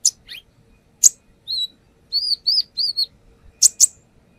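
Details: Brown-throated sunbird song recorded as a lure, the bird singing hard and showing off its fill-in phrases: sharp high clicks broken by a run of four or five arched whistled notes, then a final pair of crisp ticks.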